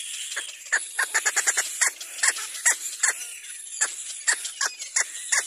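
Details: A young little black cormorant cries to be fed by its mother, giving loud, short, harsh cries in quick bursts, about twenty in five seconds, with a high hiss underneath.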